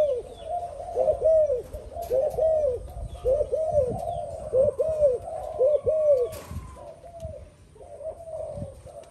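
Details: Spotted dove, a new bird that has only now started cooing together with an older decoy; a steady run of low, arched, paired coos, close to one a second, trailing off softer near the end.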